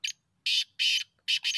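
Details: Grating, buzzy calls of a black francolin (teetar), recorded for hunting: a clipped double note, then two long harsh rasps, then two closely joined rasps, loud and dry with near silence between them.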